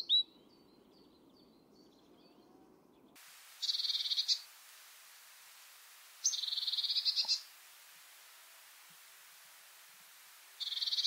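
A Great Tit gives harsh, buzzy churring bursts, each about a second long, repeated every few seconds; faint high chirps open the recording.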